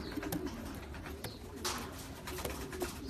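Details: Soft rolling coos from champion racing pigeons, partly masked by rustling, taps and a brief hiss.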